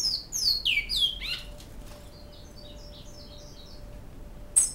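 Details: Great-billed seed finch singing in Canoas, song style called "Flauta"; a few loud, clear, descending whistled slurs fill the first second and a half, followed by faint higher twittering notes over a steady low hum.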